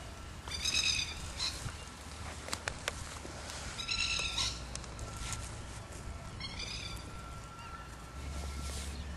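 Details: Plover giving harsh, ringing alarm calls in short bursts every couple of seconds over low wind rumble, as people approach and the plovers dive at them.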